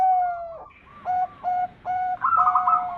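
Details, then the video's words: Zebra dove lure song from a champion bird for attracting others: a long drawn coo, then three separated clipped notes, ending in a higher, fast rippling trill. "Suara Pikat Perkutut Juara"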